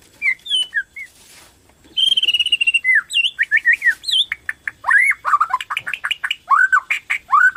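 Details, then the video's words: White-rumped shama of the Borneo type in full, lively song, used as a lure to stimulate other shamas to sing: rich whistled notes, a sustained buzzy trill, then a rapid run of sharp, varied falling and rising phrases. "PANCINGAN BORNEO GACOR SANGAT AMPUH UNTUK MERANGSANG BUNYI MURAI BATU LAIN"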